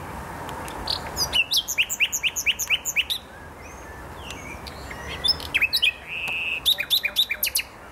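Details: A nightingale in the Poznań botanical garden, Poland, sings two rich phrases of fast repeated chips and trills, separated by a brief pause with soft scattered notes.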